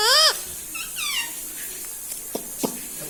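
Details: Pet parrot in a small room, known for saying mummy and mithu; one loud arched squawky syllable followed by a softer falling one, then background taps.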